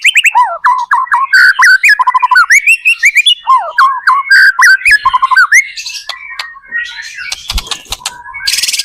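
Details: Energetic song of a white-rumped shama, played to coax other shamas into replying: fast, richly varied whistled phrases with looping slurs and quick trills, ending in scratchy, noisy notes.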